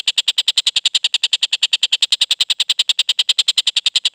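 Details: Freshly moulted young collared kingfisher with a clear voice, calling in rapid, regular, harsh bursts of about three per second.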